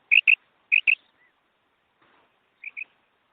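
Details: Female quail sound for hunting: two pairs of quick, high, clipped notes close together, a faint soft note, then a quieter pair after a short silence.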